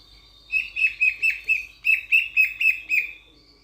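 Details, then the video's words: Grosbeak starling from Sulawesi, a loud-voiced, fruit- and insect-eating starling, giving a run of about ten sharp, bright chirps, each slightly downslurred, repeated roughly four times per second with brief gaps between them. "BURUNG RAJA PERLING DARI SULAWESI"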